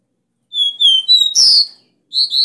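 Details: Copper seedeater, or caboclinho, singing the three-note 'dó ré mi' canto bitola used to fire up a caged bird: two pure falling whistles, a higher note, a rough buzzy slide, then another phrase begins.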